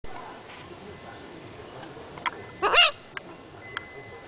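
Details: Parrot giving a single loud, harsh squawk with stacked raspy harmonics lasting about a quarter second, preceded and followed by faint clicks and a steady thin electronic tone over quiet background noise.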